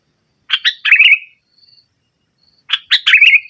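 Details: Sooty-headed bulbul singing boldly in the nggaruda manner to pressure rivals: two lively phrases, each a few quick chirps rolling into a bubbling warble, separated by about a second of quiet.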